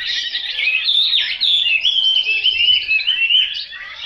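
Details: Hwamei, a chosen songbird, pours out a continuous high warble with clear whistled slides and rapidly changing notes, steady and loud throughout, without pause.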